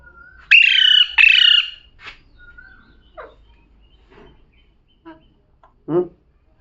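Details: Talking pet parrot gives two strong, speech-like syllables close together. They are followed by quiet, scattered short clicks and squeaks, then one louder brief harsh note near the end. The room is otherwise quiet.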